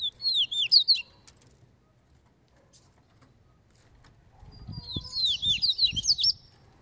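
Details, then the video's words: Training double-collared seedeater of the fibre type, singing free: a quick run of high looping whistled notes, a long silence, then another rapid high twittering phrase over low thumping noise. "COLEIRO CAVEIRAO TREINANDO NO SOLTO"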